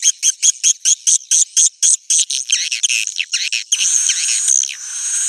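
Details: Edible-nest swiftlet roosting call (suara inap), played to attract swiftlets. A fast series of short buzzy, high chirps about eight a second, then a denser, continuous twittering buzz near the end.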